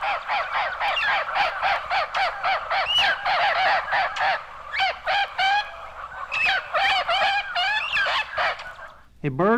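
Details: Red-crowned Parrots of northeastern Mexico, archival recording; dense continuous chorus of harsh squawks and wavering upslurred notes, steady rapid bursts, ending with a different loud descending call, a Common Ground Dove in the background.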